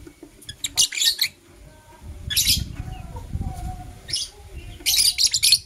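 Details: Blue Opaline and Euwing Opaline lovebirds in the morning, kissing; clusters of harsh high chirps every second or two over low rustling and fluttering noise.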